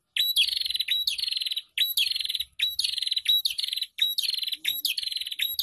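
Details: Ombyokan prinia song played as a lure for raw caged birds: regular phrases about every half second, each a thin high note dropping into a fast rasping trill.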